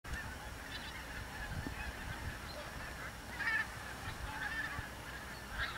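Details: A flock of overwintering Bewick's swans, with geese, near Kaprijke–Watervliet in the Meetjesland, Belgium, on Christmas Day 2013. They give a steady murmur of soft, nasal honks and yelps, with a few louder bugling notes over a low rumble of wind.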